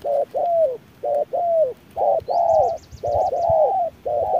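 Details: In harsh noon sunlight, a wild spotted dove fights back against a machine decoy. Loud, mellow, slightly falling coos come as short-long pairs about every second, and a faint high rapid trill sounds midway.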